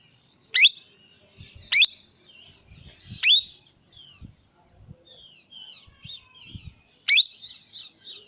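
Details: Young Indian parrot giving loud, shrill, sharply sweeping chirps, four of them spaced roughly one to four seconds apart, with soft, quieter chattering twitters between the calls and faint low thumps in the background.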